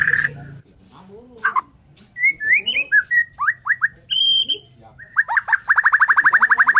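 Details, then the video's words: Borneo white-rumped shama singing in the morning, a varied run of rich whistles, upslurs and clear high notes, closing with a fast, even trill of repeated rising notes. "KICAUAN MURAI BORNEO PAGI BIKIN MURAI MANAPUN SEKETIKA TERPANCING IKUT BUNYI"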